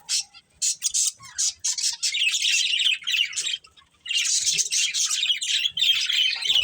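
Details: Breeding pair of budgies chirping, quick separate squawks at first, then long unbroken stretches of buzzy, scratchy warbling chatter with a short gap in between.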